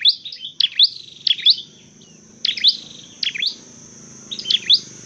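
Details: Dark-necked tailorbird, trained for bird trapping, sings sharp high chirps in a quick burst, then after a pause in scattered single phrases over a low hum.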